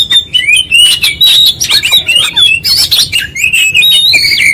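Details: Oriental magpie-robin in full, insistent 'gacor konslet' song, unloading its whole repertoire: a rapid, nearly unbroken stream of sliding whistles, sharp chips and buzzy trills, loud and high-pitched.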